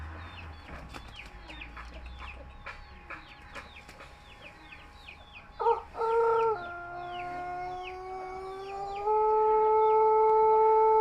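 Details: Young Pelung rooster with a soft voice, its crow already showing the 'bitu' part. Small chirping calls come first, then a long, steady, drawn-out crow with several clear tones. The crow steps lower partway through and holds to the end.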